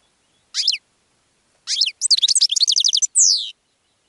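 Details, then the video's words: Goldfinch song played to attract other birds: a few short twittering notes lead into a rapid rattling series of clear chirps, ending in a drawn-out descending buzzy note. The background is clean. "GOLDFINCH SONG to ATTRACT Other Birds"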